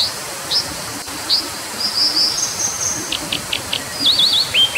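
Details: Brown Dipper: sharp, high, upswept chirps spaced irregularly, a thin twittering run in the middle, then quick clusters of short notes near the end, all over a steady broadband hiss.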